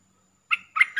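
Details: Streak-eared bulbul lure sound used for trapping, from a caged bird: after a brief silence, two short, sharp chirped notes half a second apart, each with a bright ringing overtone, then a third begins.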